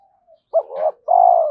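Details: Spotted dove calling to attract other doves: one brief phrase of a sharp hooked note, a rougher rising coo, then a sustained smooth coo falling slightly at the end.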